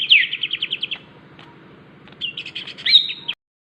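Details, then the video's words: Greater green leafbird in crewet chatter: a fast series of about eight buzzy repeated notes, a short gap, then a loud burst of chattering whistles ending suddenly into silence, with a low hum throughout. "burung cucak ijo crewet"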